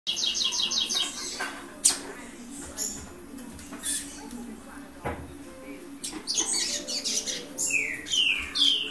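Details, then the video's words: Young double-collared seedeater beginning to sing, its early practice song called churriar: scattered high chirps and short twittered notes, a quick run of clipped notes at the start and slurred whistles near the end, with clicks between. "Filhote de coleiro (000186), começando a churriar."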